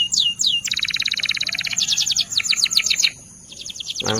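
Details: A canary sings a Belgian salsa-style song: bright, rapid trills, fast buzzy rolls and quick rising whistled notes, switching phrases every second or so.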